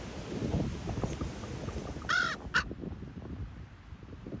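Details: Common raven at Ocean Beach, San Francisco, gives two harsh, hoarse croaks about half a second apart, the first longer, over a steady low rumble of surf and wind.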